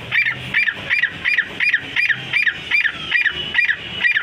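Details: Francolin giving a loud, harsh, honking call repeated steadily about three times per second throughout, over a low background hum.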